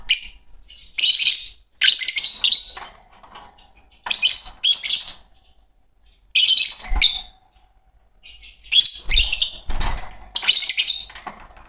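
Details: Fischer's lovebirds, a green pair, chattering in loud, high, grating bursts, roughly six groups across twelve seconds, each group of two or three harsh chirps separated by short silences.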